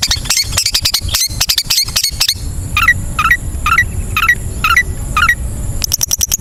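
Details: Long-tailed shrike song for training caged birds: a burst of sharp dry clicks and rasps, then a series of short hooked downslurred notes about every half second, ending in rapid clicking, over a steady high hiss.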